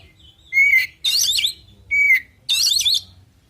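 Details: Male oriental magpie-robin song aimed at provoking rival birds: a clear flat whistle followed by a loud grating warbled burst, the pair given twice within a few seconds.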